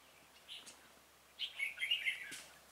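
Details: Red-whiskered bulbul singing while a decoy lures a wild bird into a trap, 26 February 2018: one soft note, then a brief, lively warbled phrase of quick chirps lasting under a second.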